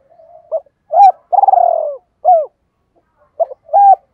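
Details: Decoy spotted dove calling in double voice to rouse wild doves: faint murmur, a short note, a loud hooked coo, a drawn-out quavering falling coo and a crisp final coo, then the next phrase begins.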